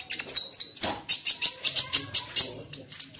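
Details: Sunda pygmy woodpecker, kolibri ninja, a lure to get birds singing: quick high chirps and short whistles, then a burst of fast rhythmic notes about five per second.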